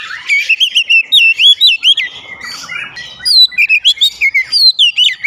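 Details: Kacer (Oriental magpie-robin) pouring out rapid 'ngeplong' song: strings of wavering whistled notes, a brief scratchy break midway, then more looping slurs.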